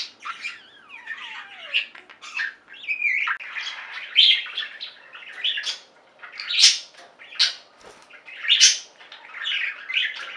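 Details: Budgies from a singing pet flock: a long downward-sliding whistle opens a stream of chattering chirps and scratchy squawks, with louder bursts every second or two.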